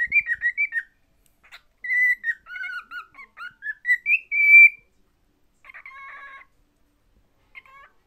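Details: Cockatiel singing while being shown its favourite mirror, whistling a warbling song of clear rising and falling phrases, broken by short pauses, with a few softer chirps near the end.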